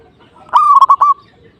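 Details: Zebra dove in lively song to provoke a rival: one loud, rolling coo phrase of three or four quick pulsing beats on an even pitch, ending in a short held note.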